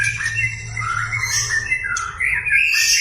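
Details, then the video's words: Energetic white-rumped shama song used to wind up a shama that rarely sings; quick squawky and whistled phrases in a rapid jumble, ending in a high shrill burst, over a low hum. "PANCINGAN MURAI BATU GACOR BONGKAR MATERI // AMPUH UNTUK MENAIKAN EMOSI MURAI SUSAH BUNYI"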